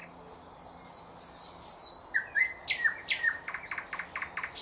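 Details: Thrush nightingale song, 2024, tied to bird catching: a run of clear, sustained high whistles, then falling slurred notes and a quick series of repeated clipped notes at an uneven pace.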